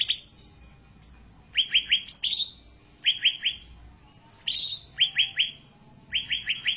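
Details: Ashy tailorbird singing, recorded for tutoring cage birds: crisp downslurred whistled notes in tight groups of three, repeated roughly every one to two seconds, broken twice by a higher buzzy, rattling phrase, over a faint steady hum.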